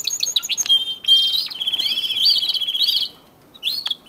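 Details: A male domestic canary, kept for breeding, sings in early March on an early morning as the birds begin nesting: a fast, bright run of high chirps and a long rolling trill, with brief twittering phrases after a short pause.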